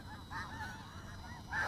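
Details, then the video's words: Snow geese in the area at night give a few short, nasal honks in succession, louder at the end, over a low hum. "Got snow geese in the area, as you can hear."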